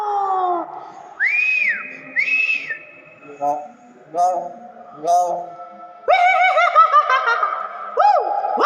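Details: Nias hill myna giving loud whistled notes: clear arched whistles that rise and fall, lower tonal notes in between, then a burst of bright, overlapping arched whistles near the end.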